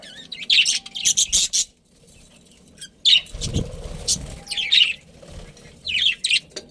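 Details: Budgies in a breeding colony calling in clustered bursts of high scratchy chirps, separated by short pauses and soft background rustling.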